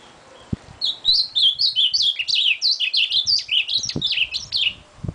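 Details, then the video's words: Ultramarine grosbeak singing a rapid, sustained phrase of slurred whistled notes, each dipping and rising, about three per second, with a few soft knocks in the background. "Azulão Torvão Azul"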